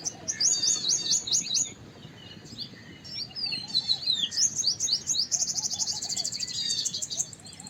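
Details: White-browed wagtail, also called large pied wagtail: rapid high, sharp chirps and twittering notes in bursts, some slurred whistles, a dense run of fast repeated notes near the end, with faint lower calls behind.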